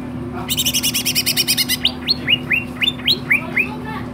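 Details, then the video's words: Greater green leafbird singing in a lively, full-voiced display: a fast buzzy rattling trill for about a second and a half, then a series of clear downward-slurred whistled notes repeated roughly every third of a second, over a steady low hum. "BURUNG CUCAK IJO GACOR"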